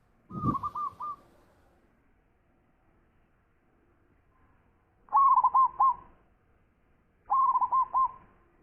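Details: Short trilled coo phrases from a zebra dove, three in all, each a quick cluster of hooked mid-pitched notes, the first overlapped by a low thump, long quiet gaps between.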